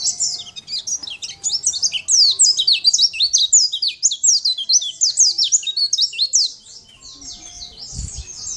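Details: Champion Sunda white-eye in energetic gacor song, used to teach other birds to sing: a long, fast, unbroken stream of high, sharp, zigzagging twitter notes that fades out near the end, followed by a soft thump.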